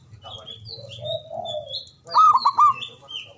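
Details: Loud, long-breathed local Javanese zebra dove singing as a lure for silent doves. A soft, low, wavering coo leads into a bright burst of four quick pulsed coo notes, with thin high whistled notes from other birds throughout.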